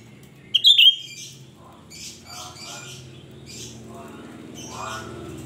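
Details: Cucak rante with a shrill lure song: one short, piercing whistled phrase early on, then faint twittering and a steady low background hum.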